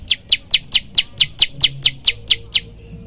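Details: Sharp high chirps from a prenjak lumut prinia in the loud 'tembakan' variation used as a master for training birds, about twelve evenly spaced notes in under three seconds before stopping.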